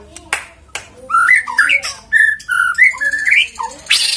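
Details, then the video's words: White-rumped shama song played as a lure to get other shamas singing quickly: a run of varied, rich whistled phrases sliding up and down, broken by short harsh clicks and a burst of noisy hiss at the end. "PANCINGAN MURAI BATU AGAR GACOR CEPAT BUNYI"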